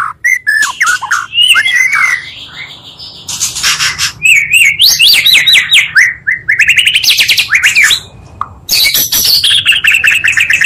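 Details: Oriental magpie-robin song combining two top singers to provoke other magpie-robins: high whistles, fast repeated upslurred notes, rasping bursts and a closing run of bright warbling.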